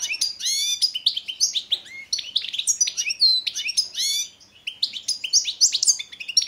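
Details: European goldfinch (Carduelis carduelis balcanica) competition song recording, 2022 championship: a fast, continuous, nearly unbroken jumble of bright tinkling twitters, buzzy trills and liquid notes, high-pitched.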